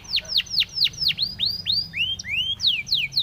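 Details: Spanish timbrado canary singing a training song: a run of quick, bright notes sweeping sharply downward, about four per second, then a few rising slurred whistles and more falling sweeps.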